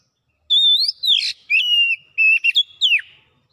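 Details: Oriental magpie-robin (kacer) in fast gacor song full of mimicry: a wavering whistle, a harsh buzzy note, a long level whistle, stuttered clipped notes and a steep downslur.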